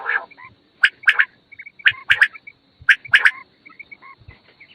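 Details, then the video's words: Fat quails at morning: sparse, loud clusters of sharp rasping notes roughly once a second, separated by quiet gaps with soft, faint chirps. "The sound of fat quails morning 1quail sound موٹا بٹیروں کی آواز بہت صاف آواز"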